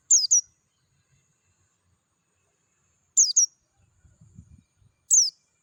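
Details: Oriental white-eye of the dakun type, wild in natural surroundings, gives clear high chirps falling in pitch, in short two-note bursts about every two to three seconds, with a faint low rumble between phrases.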